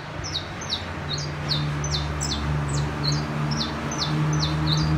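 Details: Saffron finch singing in the city: quick, regular series of sharp, high, downward-slurred chirps, about four per second, over a constant low hum and engine drone.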